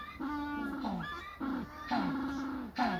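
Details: African penguins giving loud harmonic braying calls: drawn-out nasal notes, several with falling ends, repeated in bursts about every half second to one second, with a low background hum.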